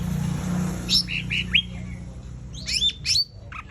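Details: Sumatran laughingthrush in full 'tembakan' song: a few short bright notes and downward-sliding whistles, then a pair of loud sweeping whistles, over a steady low electrical hum.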